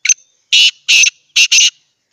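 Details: Black francolin (kala teetar), a hand-tamed pet bird in Pakistan, calls close up: a short sharp note, then four loud harsh grating bursts, the last two run together, ending one rhythmic phrase against a silent background.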